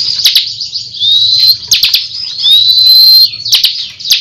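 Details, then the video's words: Bar-winged prinia of the kristal type singing in tembakan style. Clipped sharp chips lead into long, shrill, gently rising whistles and buzzy trills, followed by more quick chips, with a steady low hum beneath. "Tembakan Burung Ciblek Kristal Gacor Ngunci"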